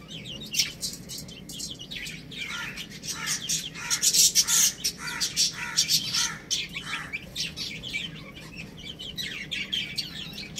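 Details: Chicks playing and eating, a run of louder descending cheeps repeated about three times a second amid a background of many softer high peeps.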